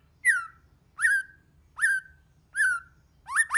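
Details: White-rumped shama, in a recording used to stimulate shamas to sing, giving repeated buzzy downslurred notes about every 0.75 seconds, ending with a quick doubled note.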